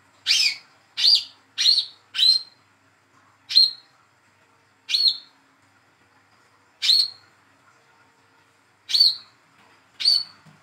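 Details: Hand-raised young speckled Olive-backed sunbird calling as a lure for birds that will not sing: four quick sharp tweets, then six more spaced one to two seconds apart.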